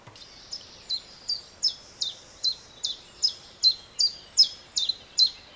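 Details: Common Chiffchaff song recorded with a homemade parabolic microphone: high, sharp two-tone notes repeated about two or three per second in a steady chiff-chaff, over faint background hiss.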